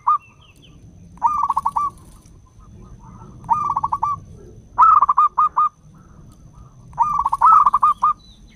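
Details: A local zebra dove (perkutut) with a long song, used as a lure for wild doves, gives short phrases of rapid, soft staccato coos, each under a second and repeated every two to three seconds, over a low rumble.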